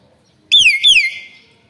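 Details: A young Nias hill myna gives two loud, clear whistles in quick succession, each high and sliding downward, the second trailing off longer.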